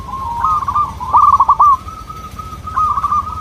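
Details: Singing local zebra dove, used as a lure for other doves: a purring coo leading into a loud staccato burst of rolled notes, then a softer trailing trill.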